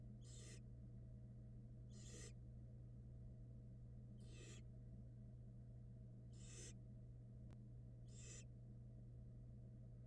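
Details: Barn owl nestlings in a Florida nest box during feeding, giving breathy hissing screeches every two seconds or so, five in all, against a constant low hum.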